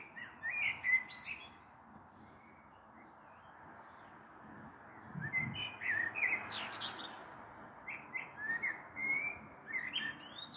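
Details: On the evening of 21 April 2022, with a storm maybe approaching, a common blackbird sings near a balcony: repeated mellow whistled phrases separated by pauses, each trailing into high, scratchy twitters.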